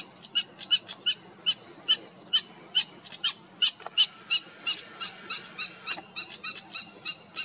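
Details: A European stonechat in the Cértima river valley, Águeda, Portugal, on 28 June 2022, gives a quick run of hard, high ticking clicks, two or three a second, like pebbles knocked together, over a faint low rumble.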